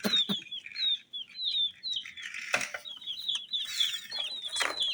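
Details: Colour-dyed chicks cheeping in quick overlapping high notes, with a few sharp knocks and a rustle midway.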